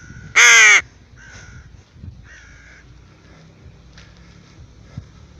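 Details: One loud, harsh caw from a tame rook out walking, followed by a few faint, short nasal calls and soft background rustling.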